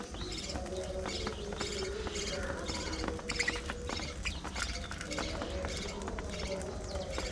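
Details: Several pet budgerigars feeding on seeds and fresh vegetables give a busy stream of short chirps and squeaky warbling notes, mixed with constant dry pecking and munching clicks.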